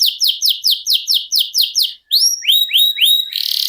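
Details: Long-duration canary song: evenly repeated bright sweeping chirps about five per second, a brief pause, then a few rising whistled slurs before a rapid buzzing trill.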